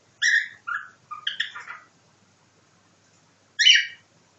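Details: Pet cockatiel mimicking nightingale song: a series of harmonic, slurred whistled notes descending and rising, a tumbling cluster of quick notes, then after a pause one loud rich chirp.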